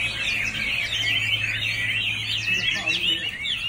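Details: Chinese hwamei in full song, a dense, loud flow of twisting whistled notes and rapid slurs, with upward-sweeping phrases near the end over a low steady hum.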